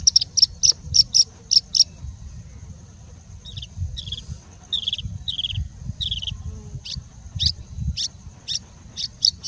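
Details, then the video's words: A singing bushlark, a mimic of other birds, opens with a quick burst of high sharp chips, then spaced, slightly lower buzzy notes roughly twice a second, with a constant low background hum. "Singing Bushlark singing and mimicking for more than three minutes straight"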